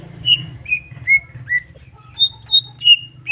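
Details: Greater green leafbird song to provoke rivals: a slow sequence of pure whistled notes, each falling slightly, then two higher flat whistles and more falling ones, over a low hum.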